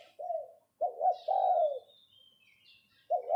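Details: Caged spotted dove used as a decoy, calling in the 'phao phao' style. Soft low coos: a single note, then a stuttered pair and a drawn-out falling coo, after a gap another double coo. Faint high bird whistles behind.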